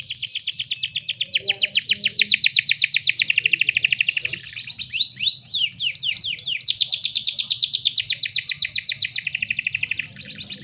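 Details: Female canary in breeding condition, meant to draw males into song: sustained rapid high trills that rise and fall in strength, with a brief tangle of swept curling notes in the middle.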